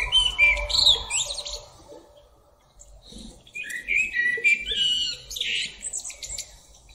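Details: Wild common blackbird delivering varied whistled and warbled phrases with high chattering ends, separated by a short pause, over faint low background noise.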